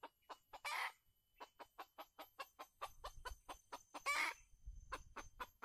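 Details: Red junglefowl recorded while trapping with a decoy in Calang, Aceh Jaya, 12/02/2020: a rapid run of short, sharp clucks about four or five per second, broken by two louder harsh squawks, over faint low rumble.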